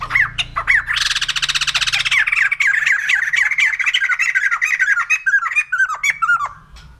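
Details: White-crested laughingthrush giving its laughing song: a loud, harsh burst of buzzy cackling that runs into rapid, descending chattering notes, repeated almost without pause for seven seconds.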